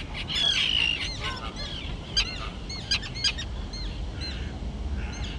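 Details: Fledged young terns in a colony on a small island thick with grass; sharp descending squeaks and short clipped calls, a few loud notes around the middle, over a background of low rumble.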